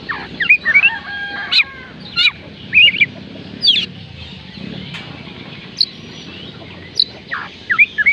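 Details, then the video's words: Oriental magpie-robin song played to stir reluctant birds into singing: scattered sharp whistled notes and short slurred phrases separated by gaps, against a noticeable low rumbling background. "oriental magpie robin kicauan Kacer panggilan Kacer malas bunyi"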